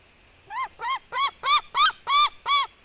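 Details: Eaglets of the white-tailed eagle, a sister fighting her brother, give seven short, nasal, yelping calls at an even quick pace, each bending up then down, growing louder through the series.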